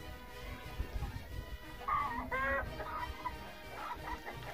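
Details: Roosters in the village of Totontepec, heard from a viewpoint above the village during a walk; short harmonic crowing phrases rise and fall for about a second. Background music and low rumbling noise continue throughout.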